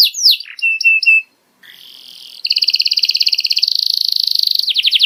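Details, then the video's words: Young canary tutoring song for juvenile learners: a few quick chirps and short steady whistled notes, a brief pause, then a long fast buzzing trill that shifts into rapid high rolling notes. "MASTERAN KENARI PAUD LEBIH CEPAT BONGKAR ISIAN"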